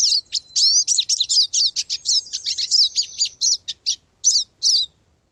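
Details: Pine siskin (Spinus pinus) song: a fast, high, jumbled twitter of chirps and trills lasting about five seconds, with a drawn-out, rising, buzzy zzz note in the middle.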